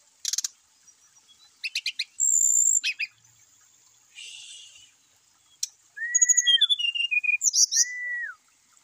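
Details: Brown-chested jungle flycatcher singing, used to excite caged birds to sing: scattered ticking clicks and a harsh buzz, then clear slurred whistles falling at the end, with bursts of fast, high twittering notes.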